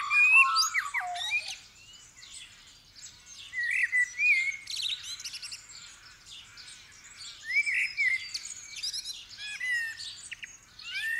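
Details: Common blackbird in full song during the dawn chorus, 8 December 2019, first light, Superlux 524D stereo mic into Roland Duo Capture EX and iPhone; rich fluted phrases open loudly, then recur with scratchy twittered endings over a busy background chorus.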